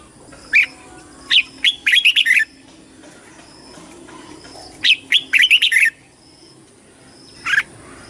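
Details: Competition singing by a red-whiskered bulbul: two fast phrases of bright, rolling warbled syllables, each opened by separate sharp chirps, followed by a lone chirp near the end; faint steady hum throughout.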